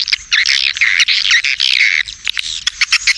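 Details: Edible-nest swiftlet calling sound, a stereo lure played to draw swiftlets over feeding areas and flight paths, mixed with roosting sounds said to prompt nesting; dense, buzzy chattering twitters in quick bursts with brief gaps.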